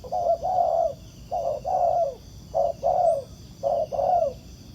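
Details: Wild spotted dove at a ground-decoy trap, cooing in response to the lure. There are four evenly spaced phrases, each a short low hoot followed by a longer, wavering coo that drops at the end. Quiet rural background.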